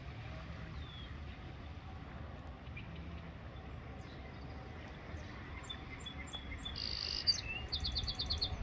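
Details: A male song sparrow sings on 20 March 2021 on the shore of the Richelieu River, Quebec: a few clipped high notes, then a buzzy burst and a quick trill of repeated notes, over a steady low rush of water or distant traffic.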